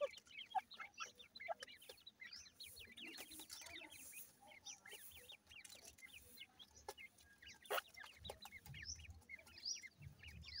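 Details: Grey francolin chicks cheep continuously while being fed, many small rising notes crowding together over faint clicks and background rustling.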